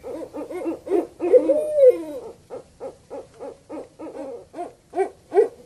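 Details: Owl call of the kind used to lure birds, a fast series of short arched hoots repeated about two to three per second, with one longer drawn-out wavering note early on; background quiet.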